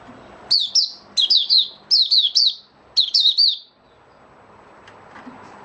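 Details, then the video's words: Opening song (buka sing) of a male white-eye (mata puteh), dated 08012022: four tight clusters of bright, high twittering notes about a second apart, followed by a quiet stretch of soft room noise. "Mata Puteh Raja Stablizing his form buka sing"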